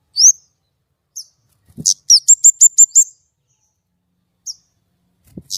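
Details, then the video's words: White-rumped shama in lively, clear song: scattered high whistles, then a rapid series of six matching sharp, rising whistled notes, ending with softer single notes. "kemade gacor nembak!!! suara jernih"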